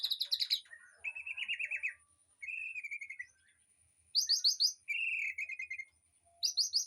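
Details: Aviary birdsong for training a white-rumped shama: short bursts of fast high trilling alternate with lower, buzzy warbled phrases, each lasting under a second.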